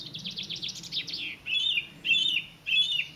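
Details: Song thrush singing in the Avenue at WWT Caerlaverock: a fast, buzzy run of rising and falling notes, then three short repeated warbled phrases spaced about half a second apart.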